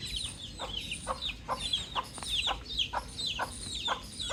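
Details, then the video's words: Baby chicken chick outdoors, giving a steady stream of high, thin, downward-sliding peeps that overlap in quick succession, with a sharp short tap or click sounding about every half second underneath. "Cute Baby Chick Chirping"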